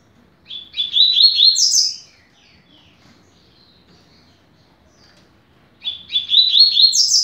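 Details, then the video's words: Two fast phrases from a double-collared seedeater, 'rápido de bico' style, played to teach young birds. Each phrase is a hurried run of high chirps rising to a sharp top note, separated by about four seconds of silence. "Canto para Ensinar Passarinho - Coleiro"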